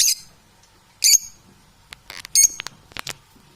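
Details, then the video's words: Harsh, high squawks from domestic parrots, three loud bursts about a second apart, with softer clicks and chirps between them. "Unbalanced domestic Parrots"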